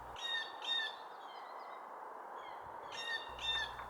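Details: A Blue Jay during nesting season, when jays were giving squeaky-gate and alert calls near a possible threat: harsh, nasal paired calls with strong harmonics, two at the start and two near the end, over a steady hiss.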